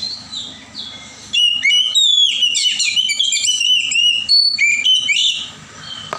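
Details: Forest-dwelling wild Oriental magpie-robin delivering a fast, varied song of loud piercing whistles, clipped chips and slurred notes, about three per second, over a steady low hum.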